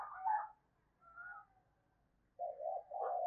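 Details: Spotted dove used as a calling lure to draw a reply from wild birds: a brief higher note and faint murmur, then a low, wavering, hollow coo sequence at the end.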